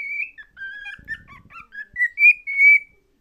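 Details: A cockatiel, singing while shown its favourite mirror, whistles a warbling song of clear notes around 2–3 kHz, sliding up and down and ending on a long bright whistle, over a faint rustle.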